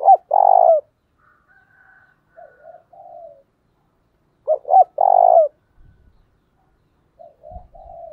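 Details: Decoy spotted dove coo, provoking and calling: two hooked notes and a long sustained coo ending downward. The phrase repeats after about four and a half seconds, with faint softer notes and a few low thumps between.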